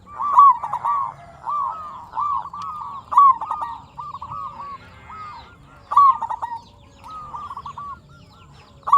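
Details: Local zebra dove singing steadily, meant to provoke other zebra doves into song and raise their arousal. Rapid rolling coos come in bursts, each opening with a sharper accented note, over a soft low hum.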